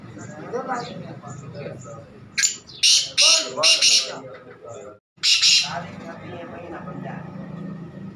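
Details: Black francolin (kala teetar) giving loud, harsh, rasping bursts, four in quick succession, then after a short silence another strong grating note, over steady low background murmur and distant voices.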